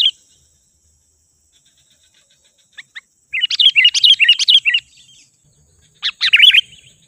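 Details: Sooty-headed bulbul lure sound for attracting wild birds. After near silence and two soft ticks, a second-long burst of bubbling wavering whistles is followed by a pause, then a shorter similar burst.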